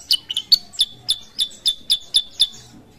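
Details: Sooty-headed bulbul singing vigorously: a quick, steady run of about eleven sharp, high chirps, roughly four per second, each a bright clipped note with a slight buzzy edge, over a faint low background hum.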